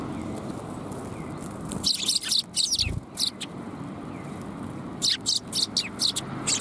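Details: Sparrows at Tenmangu shrine on a January 21, 2022 afternoon chatter in two lively bursts of rapid, high tweets separated by a quiet pause, with steady low rumble underneath.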